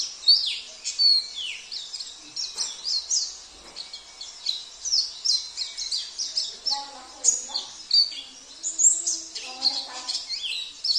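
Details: Oriental white-eye of the Sambas type, with a fill-in repertoire of canary, cililin, kapas tembak and jenggot phrases. Its continuous high, shrill chattering of quick slurred notes repeats roughly twice a second. Muffled voices are heard in the background midway.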